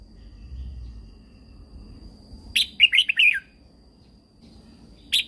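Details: Caged Red-whiskered bulbul, Thailand, singing in the 'Super Jack' manner for stimulating other birds. One fast phrase of five bright notes sliding downward, then the opening note of another, over a soft low rumble.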